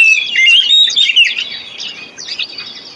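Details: Short burst of Oriental magpie-robin lure song for birds that have stopped singing: a loud, rapid tumble of high whistles and sharp chips that fades toward the end.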